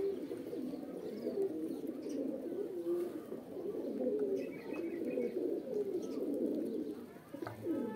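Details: Deep, rolling coos from several pigeons run without pause, some phrases swelling briefly louder, with faint higher twitters in the background.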